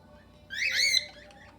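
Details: Cockatiel among several kept in an indoor aviary shared with budgerigars, singing its natural sounds and trying to whistle; one bright harmonic call that sweeps up, wavers, then falls, lasting about half a second over quiet background.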